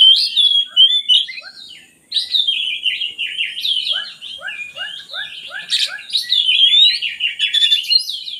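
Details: Oriental magpie-robin song meant to lure reluctant birds into singing: whistled warbles, a short pause, then mixed chatter with a steady row of falling notes and lively high twittering.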